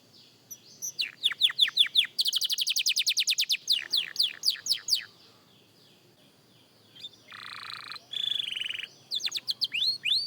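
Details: Practising young canary delivers fast trills and falling sweeps, then falls silent for a few seconds. It resumes with harsh buzzy notes and a few rising whistles.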